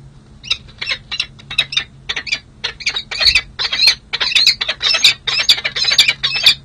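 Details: Peregrine falcon pair at a city hall nest ledge in San Jose, in a long pair-bonding session in July after the breeding season; harsh, high squawking calls repeated in rapid bursts, roughly twice a second.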